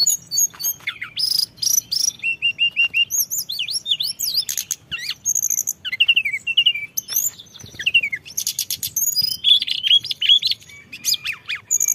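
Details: Blood-breasted flowerpecker lure recording with full fill-ins, a long busy run of sharp high chirps, zigzag twittering phrases and brief flat whistles, delivered almost without pause.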